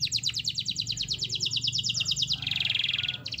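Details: Canary singing as a prompt for silent canaries: a long rapid trill of sharp repeated notes sliding slightly downward, then a dense buzzing trill, with low background rumble.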